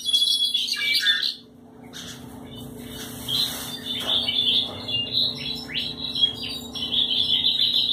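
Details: Piebald European goldfinch singing: a burst of bright twittering, a short pause, then a long run of rapid high chattering and trilled notes, with a faint constant hum in the room.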